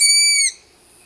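Striped Owl giving a single clear, high whistle held for about half a second, then dropping sharply at the end; nothing else is heard.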